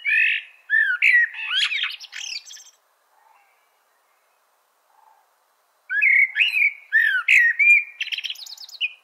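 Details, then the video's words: Chopi blackbird song: two bursts of rich, varied whistled and chattering notes, each about two seconds long, separated by a quiet pause of roughly three seconds. No other sounds stand out. "CANTO DO MELRO PRETO"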